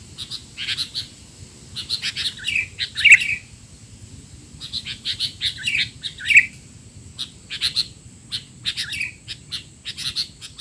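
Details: Sooty-headed bulbul chatter played as masteran for young bulbuls: repeated bursts of high chirps and falling notes roughly every three seconds, lively and noisy, with a faint constant hum behind.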